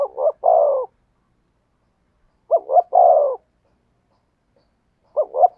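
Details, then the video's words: Repeated spotted dove song of the "thổ sấm" type. A double short coo leads into a lengthy descending croo, with the phrase recurring roughly every two and a half seconds against silence. "cu gáy thúc gù giọng THỔ SẤM chuẩn nhất"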